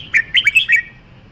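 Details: A short, lively phrase from a red-whiskered bulbul: four clear, bouncing whistled notes, each sliding up then down, delivered in under a second over soft background hum.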